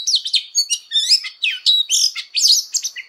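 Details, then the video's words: Oriental magpie-robin in fighting song, voice-training style: a rapid, varied run of sweet whistles, sharp chirps and buzzy trills, notes sweeping between high and very high pitch in short bursts with brief gaps, no other sounds. "Choè than hót đấu/Choè than hót luyện giọng căng lửa/Choè than hót"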